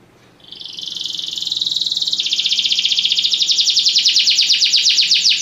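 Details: Belgian canary singing during song training: a long, very fast rolling trill, high and even, beginning softly and growing louder, holding its pulse for about five seconds.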